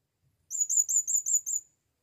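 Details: Blue-crowned hanging parrot, brought to the forest for the first time, calling a female: a rapid, evenly spaced series of six thin, very high, slightly rising squeaky notes in under two seconds.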